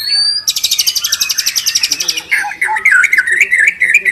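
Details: White-rumped shama lure song for training a bird's fill-ins. A high buzzy rattle lasts about two seconds, then gives way to a run of lower, rich whistled notes and chirps.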